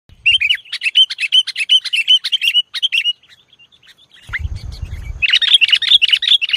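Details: A sooty-headed bulbul kept as a lure bird sings energetically in a style the owner calls nggaruda. Rapid bright chirped notes repeat about two to three per second, pause, then resume after a brief low rumbling noise.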